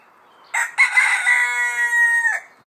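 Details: Rooster (cockerel) caught crowing on a phone: one loud, rich, harmonic crow of about two seconds, opening with a short broken note and then holding a strained, level tone before dropping off abruptly, with a quiet background.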